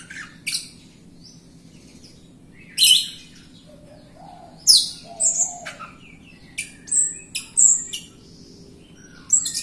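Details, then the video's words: Jalak Rio myna singing as a lure for other birds: scattered harsh squawks and shrill squeaks, some soft low whistles, growing busier in the second half, over a light hum. "JALAK RIO GACOR untuk pancingan RIO RIO BAHAN OMBYOKAN & MALAS BUNYI"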